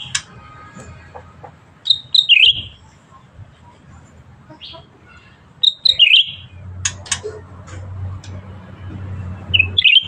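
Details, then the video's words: Cucak ranting bulbul singing actively: short, bright whistled phrases that dip and twist downward, repeated about every four seconds, with clicks and a low background hum. "Burung Cucak Ranting Gacor"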